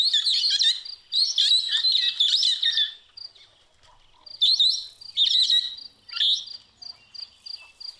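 Brown-headed parrots give shrill, squeaky chattering bursts with high, piercing whistled notes, coming in short phrases separated by brief pauses.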